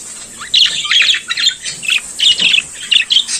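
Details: Budgerigar in morning song, with fast squeaky chirps and scratchy chatter running almost continuously over a constant high-pitched hiss.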